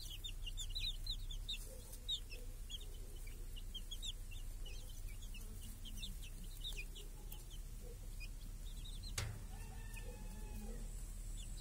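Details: Chicks and hens grazing under a protective cage in a village on a clear summer day, chicks hunting flies; a constant chorus of high, arched peeps overlapping rapidly, with a low steady rumble beneath and a sharp knock near the end.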